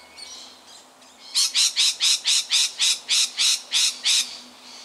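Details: Lorikeet alarmed by a tiger snake in suburban Melbourne, Australia, on 13 October 2019: after a quiet second, twelve loud, harsh, rasping shrieks pour out rapidly and evenly, nearly four per second, over a faint steady hum.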